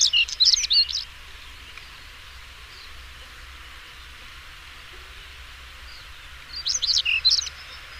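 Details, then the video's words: European stonechat singing: two short, scratchy, high twittering phrases about a second long, one at the start and one some six seconds later, with quiet between and a faint steady low hum beneath. "Der Gesang des Schwarzkehlchens"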